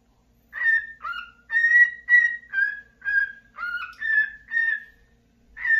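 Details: Cockatiel singing happily in the morning after waking: a run of clear whistled notes, some steady and some dipping or two-toned, repeated in a rhythmic phrase with short gaps, indoors and otherwise quiet.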